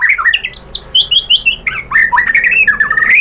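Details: White-rumped shama song, used as a lure to excite other shamas: a busy, harsh-edged jumble of quick slurred notes and chattering phrases, sung continuously and loudly.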